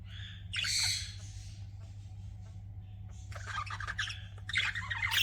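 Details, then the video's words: Pet budgerigars chirping indoors: bursts of scratchy, buzzy chatter at the start and again after a pause, rising into louder rasping warbles near the end, over a steady low hum. "CUTE PET BUDGIES CHIRPING"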